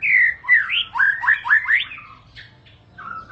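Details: White-rumped shama (murai batu) song meant to draw other shamas into singing: a brief burst of loud, swooping whistles and quick chopped notes, then softer, scattered calls.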